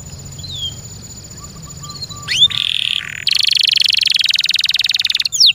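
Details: Kept canary singing after a quiet start: a few high downward-sweeping whistles, then a dense buzzing roll and a long, loud, rapid trill of even pulses, ending with sharp falling notes.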